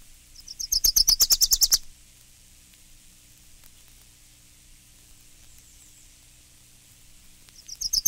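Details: Dickcissel song, one of seven song examples: a quick burst of about a dozen dry, high, stuttering chips lasting just over a second, then quiet before the next phrase begins.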